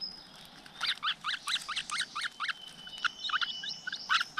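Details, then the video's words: At a flowerpecker nest with young in natural surroundings, quick high twittering chirps come in an uneven run. They are followed by softer scattered notes, with a faint thin tone and hiss behind them. "Cận Cảnh Tổ Chim Sâu Và Đàn Con Tuyệt Đẹp Ngoài Thiên Nhiên."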